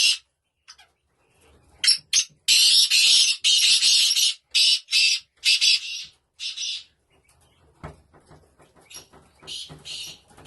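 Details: Black francolin in England giving a long series of loud, harsh, rasping notes in rapid rhythm, then quieter scratchy calls and a final grating burst.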